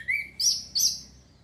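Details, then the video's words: Orange-headed thrush song played to stimulate breeding condition and get birds singing: a short lower whistle, then two loud, high, bright notes about a third of a second apart, with nothing else audible. "ANIS KEMBANG PUNGLOR MEMANCING BIRAHI BIAR CEPET GACOR"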